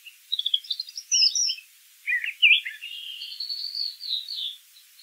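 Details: Brown thrasher in song: scratchy chattering notes, then louder slurred phrases and a long warbling run, against faint background hiss.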